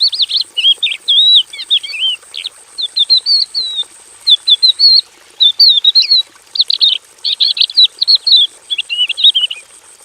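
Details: Javan bush lark in a simple aviary singing a full, chattering song: clipped high chirps and whistled flourishes in rapid clusters, strung together over ten seconds with brief gaps.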